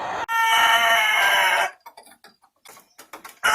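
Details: Rooster letting out a loud, strained, even crow of about one and a half seconds, followed by scattered clicks and knocks, then another loud burst at the end.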